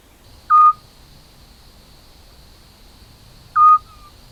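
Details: Two clean short whistled hoots three seconds apart, each with a slight falling tail, from a Eurasian scops owl of a mating pair in spring 2016 farmland near Cavarzere, Venice, Italy, over a steady faint hiss.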